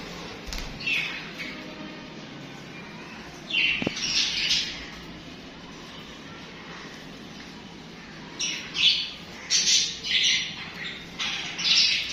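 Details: Pet budgies sing and chatter in scattered harsh chirps, a brief flurry near four seconds, quiet stretch, then a lively run of rapid squawky notes over the last four seconds.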